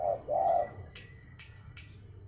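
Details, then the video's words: A spotted dove gives two low, soft coos, the second longer and fuller, followed by three sharp ticking clicks spaced under half a second apart. "Burung Tekukur gacor"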